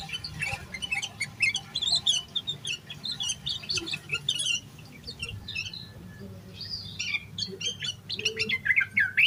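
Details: Yellow-vented bulbul singing vigorously in an agitated, note-packed style, used to stimulate other bulbuls to sing: rapid bursts of sharp, chattering high notes and short slurred whistles, dense at first, sparser mid-way, then busy again, over a low steady hum.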